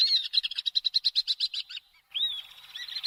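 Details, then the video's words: Common swift with a fast pulsed buzzy trill lasting almost two seconds, a brief gap, then a higher drawn-out shrill scream. "Стриж. Обыкновенные стрижи. Голоса птиц"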